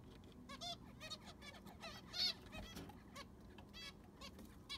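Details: Captive zebra finches in an aviary during cleaning and sand replacement call busily. Bright, nasal, trumpet-like beeps come in quick irregular bursts from several birds, with one louder squeaky note near the middle and faint rumble below.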